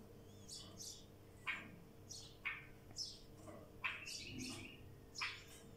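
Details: Wild bulbul singing: short, quiet chirped notes rising and falling, about one every second, some sharply dropping, over a low steady hum.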